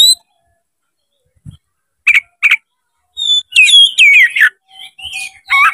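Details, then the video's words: Oriental magpie-robin, tail fanned, singing to incite a rival: a high thin whistle, two buzzy chip notes, then a rapid tumbling medley of descending whistles and harsh notes. "MENCARI LAWAN TARUNG KACER CEPAT GACOR DALAM HITUNGAN MENIT DIPANCING KACER BUKA EKOR INI"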